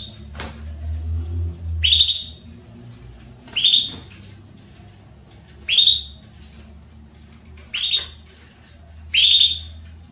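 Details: Female Belgian canary soliciting mating, giving a steady series of sharp, bright chirps about every two seconds, six in all, with a faint low hum underneath.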